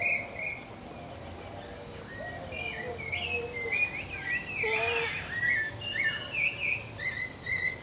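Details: Pale-breasted thrush from Brazil giving a melodious song of short whistled notes and slurred phrases, some rising and some falling, delivered in a loose chain with brief gaps.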